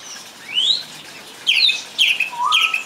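A song thrush gives a rising whistle, then repeats a bright, downslurred phrase three times, about every half second, with a lower rising note beneath.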